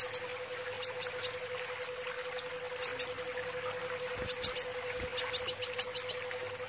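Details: Brown-throated sunbird singing: short clusters of sharp, very high chipping notes, given in groups of two to seven quick notes separated by pauses, over a steady low electrical hum.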